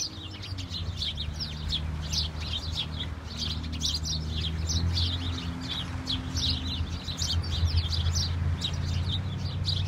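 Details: Snowy scene with a flock of house sparrows keeping up a constant, irregular stream of quick chirps, overlaid on a fairly loud low steady hum.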